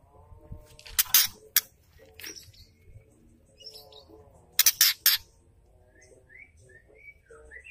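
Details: Female white-rumped shama ketrekan, meant to stir up males and get them singing. Two clusters of sharp, harsh rattling bursts are separated by faint chips, with thin high whistled notes trailing at the end.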